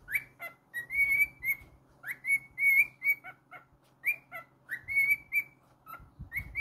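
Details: Domestic cockatiel whistles loudly and continuously, swooping up into long level tones and dropping to lower short notes, with faint thuds near the end.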